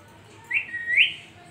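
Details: A single short parrot chirp: two quick, bright upward-flicking whistled notes joined by a brief level tone.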